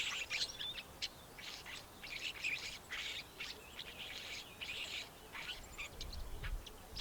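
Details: Cape sugarbird producing bursts of harsh, rasping chirps mixed with thin sharp notes in quick irregular clusters, with a brief low thump near the end.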